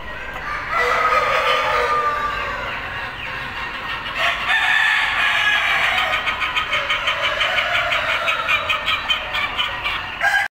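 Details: Lakenvelder domestic chickens give drawn-out, rising crow-like calls and soft, rapid clucking about three times a second, with faint engine hum behind.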